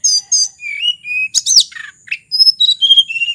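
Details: Snowy-browed flycatcher from Mount Merapi singing thin, very high whistled phrases, some sliding and some tinkling, in quick varied bursts with short pauses.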